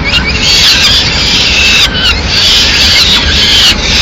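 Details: Loud begging of peregrine falcon chicks at a mid-morning feed in Madrid, the female arriving with a small bird: long harsh wailing screams, high and quavering, with one brief break in the middle.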